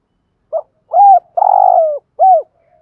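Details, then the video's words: Spotted dove used as a decoy, "gù thúc" urging coo to excite newly caught birds: a short clipped note, an arched hoot, a long rolling coo, then a final arched hoot, clean and close. "chim cu gáy gù thúc/ tiếng chim cu gáy mồi gù thúc dùng kích bổi và tập bổi xiêng gáy"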